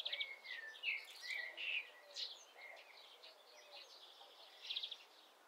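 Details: Common starling in mid April, planning to occupy a woodpecker's nest hole, sings a rambling medley of short whistles, slurred squeaks and scratchy clicks, mostly high-pitched, in uneven bursts over light hiss.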